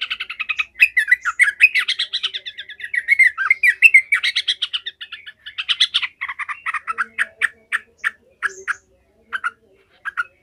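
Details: Excited yellow-vented bulbul delivering long, fierce 'ngekek' chatter: continuous tumbling run of rapid, warbling, harsh notes for about six seconds, then slower separate notes spaced roughly half a second apart.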